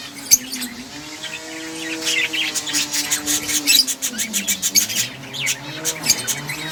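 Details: Budgies playing in a breeding colony produce rapid repeated high chirps that grow into continuous chattering, accompanied by a low steady droning hum.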